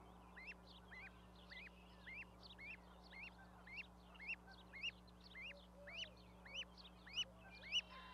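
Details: Young goslings with their parent on a raised osprey nest platform at Charlo, Montana, 12 May 2020. A long, regular run of sharp rising peeps comes every half second, with fainter peeps from other chicks behind them and a low background hum.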